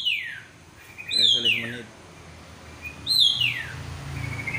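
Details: Black drongo singing actively: loud whistled notes sliding sharply downward, each about half a second long, given twice about two seconds apart, with brief low human voice murmuring between them.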